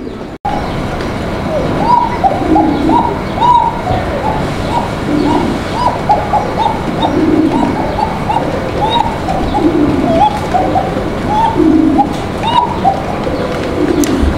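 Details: Female Bashiraj pigeon, coming into egg-laying, gives a very thin, fine coo typical of the breed, alongside soft, low cooing rolls repeated every second or two.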